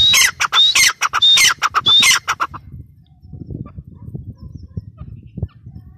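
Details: Female grey francolin: a loud, shrill series of harsh ringing notes with thin whistled overtones for about two seconds, then quieter rustling and faint background noise.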